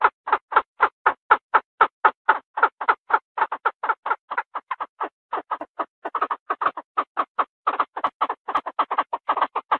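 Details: Chinese francolin calling the male: a long series of harsh, raspy notes repeated about four times a second, some doubled, on a quiet background.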